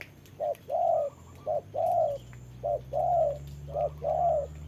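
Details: Decoy spotted dove used for trapping, calling against a wild rival in rainy weather; soft low coos alternating short and long notes, four regular pairs, over a low engine-like drone.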